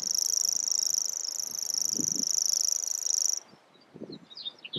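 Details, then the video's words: Song of a common grasshopper warbler, a dry, high-pitched mechanical reeling that runs unbroken for over three seconds, then stops abruptly, followed by a few brief chirps and soft low thumps. "Grasshopper Warbler and its song"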